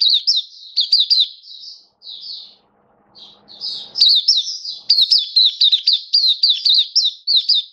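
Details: Oriental white-eye from a bird hobby setting, dated 27 October 2022, delivers a lively high-pitched twitter of quick slurred notes, pauses briefly with soft rustling, then bursts back into a dense chirping run.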